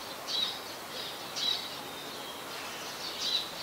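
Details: Brown-throated Sunbird recorded on a Nikon P1000 in Ubon Ratchathani, Thailand, 5 February 2020: three short, sharp high-pitched notes spaced roughly a second apart, each a quick thin chip, against a constant background hiss.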